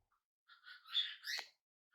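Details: Tame young budgerigar, first day at home, gives a single drawn-out buzzy, warbling squawk lasting about a second indoors.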